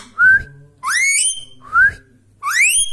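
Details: Indian Ringneck Parrot, a pet bird indoors, giving a natural whistle: four clear rising whistled notes with bright overtones, alternating short and longer slurs, about one every 0.7 seconds, with a faint low hum beneath.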